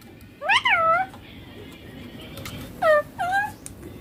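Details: A young ringneck parakeet mimics the Hindi words "papa" and "mummy". One loud arched syllable comes early, then a quiet gap, then two quick downward-curving syllables near the end.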